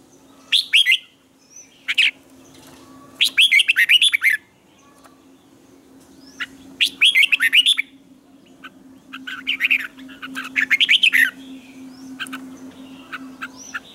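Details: Red-whiskered bulbul morning training song in the tense double twisted style, used as a lure for training birds: short bright warbled phrases in bursts every one to two seconds, with quieter scattered chirps between and a steady low hum underneath.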